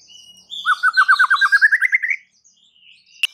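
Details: White-rumped shama giving a fast rattling trill of about fifteen repeated notes rising slightly in pitch, over a thin high whistle, ending with a sharp click.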